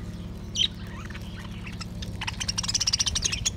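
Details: Budgerigars singing while eating: quick, high, scratchy chirps that build into a busy warble over a low hum.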